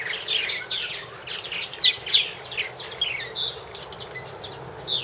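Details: Purple martins at one of three nest houses, 2014: dense bursts of descending chirps and gurgling notes, several birds calling over one another in quick succession.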